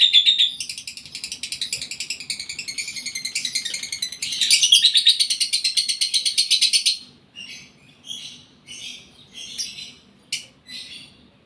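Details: Lovebird in breeding condition, caged, in a long rapid run of buzzy, rasping chirps that swells louder midway, then breaks into separate sharp chirps with gaps.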